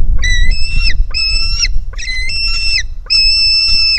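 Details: Hungry White-tailed Eagle chick at the nest, seen on a live nest camera on 4 July 2018, jumping toward its mother as a sibling flees. Four loud, drawn-out, whistled squealing calls with rich harmonics, over a deep rumble of wind.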